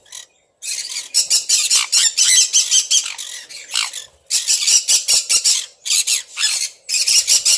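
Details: Several caged Sun Conures, housed with red factor varieties, squawking almost continuously: rough, grating notes tumble out in fast, uneven runs after a short silent start.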